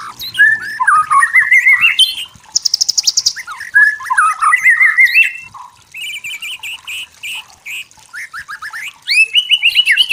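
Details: White-rumped shama in song, described as a wild forest bird: varied rich phrases of whistled rising notes around mid pitch, a rapid high buzzy trill, repeated warbled motifs and sharp chips.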